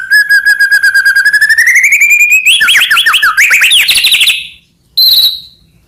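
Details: Medan white-rumped shama in full song with many fillers, used for training other shamas: a long, rapid pulsed trill climbing steadily in pitch, breaking into jumbled sharp notes, then a single high whistle after a pause.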